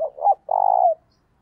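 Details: Decoy dove cooing to provoke wild males: a short two-part phrase, a brief rising note followed by a longer, steady, hollow coo, with quiet surroundings.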